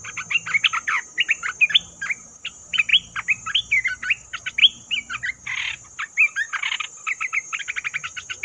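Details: Trapping lure of a bulbul: a dense, chattering run of varied slurred and bubbly notes, briefly broken by two harsh, noisy bursts, then a fast trill of short chirps.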